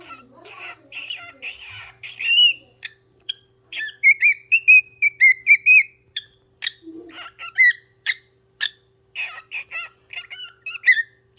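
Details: A pet parrot sings a mix of chattering clicks and warbled notes, then a long sustained wavering whistle, followed by more sharp clicks and short whistles, with a quiet hum behind.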